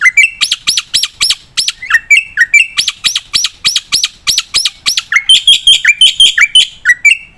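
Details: Black-winged myna singing actively with a full, varied song, used to train and tutor other birds: rapid repeated sharp chirps and upslurred whistles, roughly three notes a second, with some harsh rising squawks mixed in.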